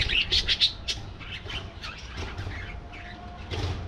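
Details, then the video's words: Colony of budgerigars, opening with a quick burst of sharp squeaky chirps, then softer mixed warbles and twitters from several birds, with a steady low drone. "Budgie Life: Singing, Gossiping"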